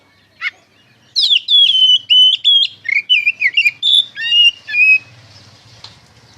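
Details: White-rumped shama, a kacer singing in full 'ngeplong' style, used as a lure to make other shamas answer; loud clear whistled phrases, rich and varied, rising and falling notes delivered in a rapid run of bursts.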